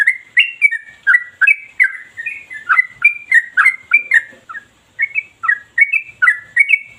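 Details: Tireless ropel singing of a yellow-vented bulbul, used as a lure to set other bulbuls singing: a dense, machine-like string of bubbling, slurred notes rising and falling, with one brief pause near four and a half seconds.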